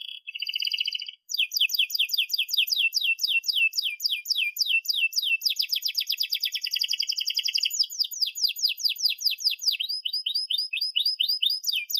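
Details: Canary with a long, sharp song, used as a model for young canaries learning to sing: a short trill, then sequences of downslurred notes, rolling trills and rising whistles in a continuous flow of about twelve seconds.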